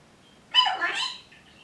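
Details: Pet parrot indoors, one of an African Grey, a Green-winged Macaw and a Ruby Macaw, giving a short harsh voiced utterance, a single burst of broad, speech-like sound lasting under a second.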